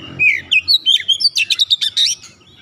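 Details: Oriental magpie-robin, a caged kacer, delivers a fast unbroken phrase of about a dozen clear whistled and twittering notes, climbing in pitch and growing busier toward the end.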